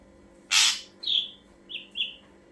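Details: Ashy drongo song as a lure for birds: a loud harsh burst followed by a drawn-out falling whistle and two short clipped whistles.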